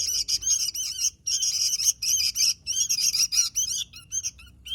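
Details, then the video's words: Sooty-headed bulbul singing hard, short bursts of fast shrill twittering separated by brief gaps, thinning to scattered single chirps at the end. "Suara Burung Kutilang Gacor"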